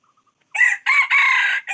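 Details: Loud red junglefowl crow after a few faint soft ticks: a short harsh opening note, then two long rasping sustained notes running together, with the start of another note at the end. Little else is heard.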